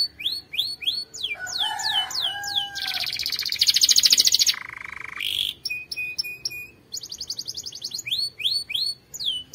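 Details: Powerful canary training song: repeated downward-slurred notes, a loud harsh buzzy roll, a steady buzzy tone, then fast trills and repeated slurred phrases.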